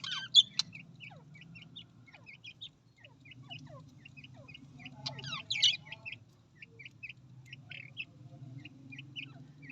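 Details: Australian parrot chatter of many quick, high chirps and short squeaky notes, with a louder squawk near the start and another burst midway, over a low humming background.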